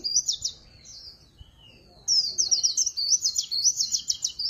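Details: Swinhoe's white-eye song, líu pha chòe style: a brief high warble and a thin slurred note, a quiet gap, then a long continuous bubbling twitter of rapid rising and falling notes.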